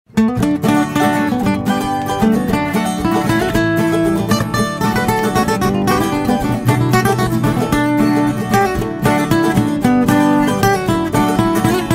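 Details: Continuous plucked-string music, mandolin and guitar strumming, with no animal calls audible.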